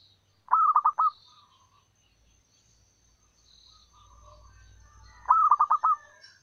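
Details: A local wild zebra dove, a female used as a lure, calls to males. Two phrases of rapid pulsed cooing come about five seconds apart, with soft murmuring notes and faint chirps between.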